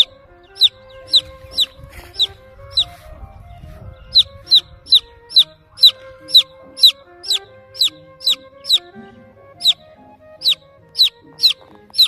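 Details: Baby chick chirping in search of the mother hen, high sliding peeps repeated in runs, over faint sustained musical tones and soft low noise.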